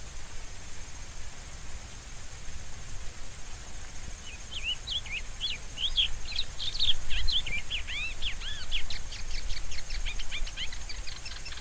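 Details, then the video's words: Rusty-collared seedeater song: after four quiet seconds, a fast run of sweet whistled notes, looping and slurred, speeding into rapid rising-falling strokes; steady hiss and a faint high tone throughout. "Canto do Coleiro do Brejo Sporophila collaris Rusty collared Seedeater"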